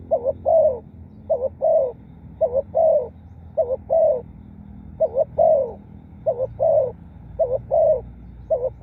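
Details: Repeated cooing of a spotted dove, used as a lure for wild birds: about eight quick phrases, each a clipped two-note coo plus a longer falling note, closely spaced, over faint low background rumble.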